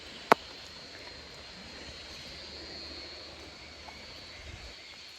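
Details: Quiet outdoor hum with a faint distant engine drone and one sharp click near the start, with no animal voices.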